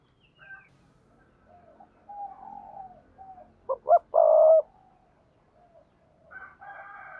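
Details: Spotted dove in thúc gù mode, a coo for training newly caught doves: soft, low coos build to one loud phrase of two short hoots and a held coo, followed by fainter notes.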